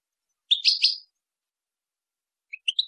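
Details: Goldfinch song meant for teaching fledgling goldfinches and hybrid birds: one liquid twittering burst of three linked notes, a pause, then a short rising series of thin chirps. The recording is clean with no background noise.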